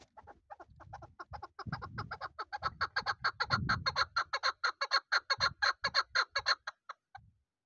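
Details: Chukar partridge, a young bird from this season kept as a local hunting bird, calling a rapid string of short chuck notes that grows louder and quickens, with low rumbling handling noise at first.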